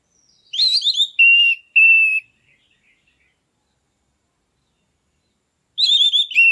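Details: Captive orange-headed thrush singing loud, open 'gacor ngeplong' style song, played as a lure to stir a stalled bird into breeding condition: a burst of quick twisting whistles, two level sustained whistles, a long pause, then another warbling phrase; clean background.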